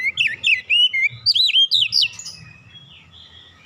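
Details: Oriental magpie-robin song played to stimulate other birds, a fast string of clear, wavering whistles rising and falling, fading into softer notes after about two seconds.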